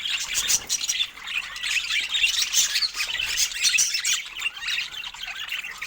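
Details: Happy chatter of budgerigars sharing fruit: unbroken, rapid high twittering and scratchy warbles from several birds at once.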